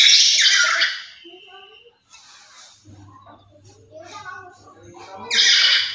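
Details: Black-capped lory, used as a master call to lure other lories, opens and closes with harsh, loud screeches, while quieter squawky and voice-like sounds fill the middle over a low hum.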